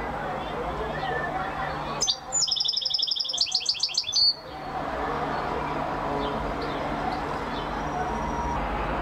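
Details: European goldfinch, described as a champion singer, gives a brief burst of high, rapid, ringing trilled notes lasting about two seconds, set against steady background hum and noise before and after.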